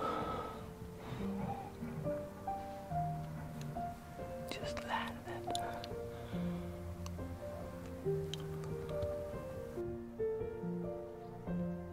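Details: Soft music with quiet whispered speech; no animal sound is heard.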